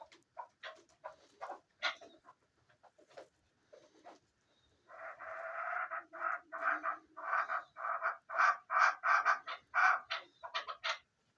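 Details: A chukar partridge kept for hunting calls with scattered single chucks, then a steady, accelerating series of loud, harsh, evenly spaced clucks that grows stronger toward the end.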